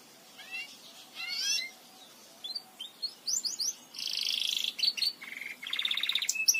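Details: Belgian canary song used to teach other canaries to sing: soft chirps build into bright buzzy rolls, then fast metallic trills and clear high notes with a light background hiss.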